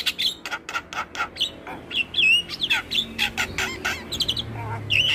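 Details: Master song of a Javan myna, full fill-in version, said to make starlings respond: fast rasping notes mixed with looping high whistles and a low hum in the background.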